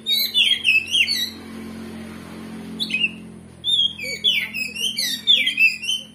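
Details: Oriental magpie-robin, known locally as kacer, singing to provoke a rival into fighting; bursts of high chirpy swooping whistles, a two-second lull mid-way, then rapid repeated notes resuming.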